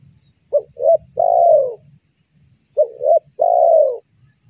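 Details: Spotted dove calling, used as a lure to attract wild doves: low soft coos in a short phrase of two quick notes and a longer drawn-out falling coo, repeated twice, with faint low rumbling between.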